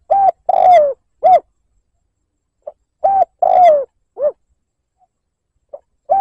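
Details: Spotted dove liêu lỡ lure cooing to provoke a rival: repeated phrases of a clipped hoot, a long smeared falling coo and a lower dipping note, with a soft pickup note before each phrase; otherwise silent.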